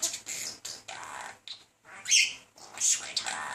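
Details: Male talking budgerigar wooing a female with persistent chatter; dense rasping warble mixed with whistled, rising notes and sharp high chirps, delivered in quick uneven phrases.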